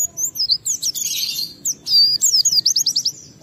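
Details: Oriental white-eye (pleci) in lively ngalas song, a lure to provoke other white-eyes: sweet high slurred whistles, a buzzy chatter, then a quick run of five or six descending notes.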